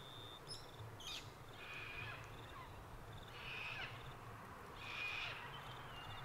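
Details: Sulphur-crested cockatoos calling at Mt Coot-tha in Brisbane, Queensland, 6 November 2022, Canon R7 recording: three rough, scratchy screeches spaced about 1.5 seconds apart, preceded by a brief rustle, with a steady high whine in the background.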